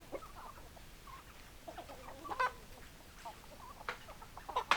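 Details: Chickens clucking: short, low throaty clucks and murmured chatter in an irregular string, with a few sharper, higher notes near the end; no crowing is heard.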